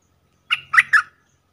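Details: Caged Streak-eared Bulbul decoy calling to lure wild birds: a short burst of three chirpy, slightly harsh notes in quick succession, then silence.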